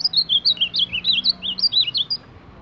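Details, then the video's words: An Ultramarine grosbeak sings a quick, bright warble of about eighteen rising and falling whistled notes over two seconds, then stops; a faint low hum sits beneath. "Azulão campeão de baderna!"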